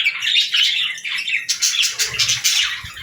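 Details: Pet budgie warbling in a fast, dense stream of scratchy chirps and squeaks, pulsing several times a second without a break.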